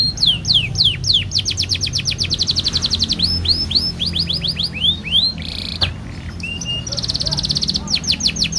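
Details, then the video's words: Canary in long rolling song, played to get other canaries singing. Loud, clear whistled notes slide downward, repeated several times a second in fast rolls, with a harsh burst near six seconds. Steady background rumble underneath. "burung kenari langsung gacor dengar ini pancingan kenari gacor panjang roll nembak speed"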